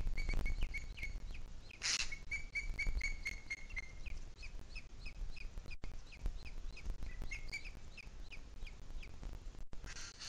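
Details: Booted eagle, Sierra de Guadarrama, 2 July 2021, 17:53: rapid, shrill 'kli-kli' notes repeated about four per second, with a drawn-out piping note near the start, a brief noisy rustle and a background of wind.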